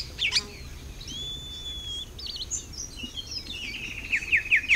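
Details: Greyish saltator in Costa Rica singing clear whistled notes, one long even whistle and a quick series of short slurred high notes at the end, over faint background hiss.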